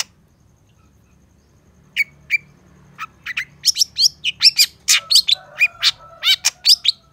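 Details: Cendet, the long-tailed shrike, in a lure recording: after two seconds of silence, sparse sharp chips and slurred whistles build into a fast, dense run of harsh and whistled high notes, with a soft lower warble behind.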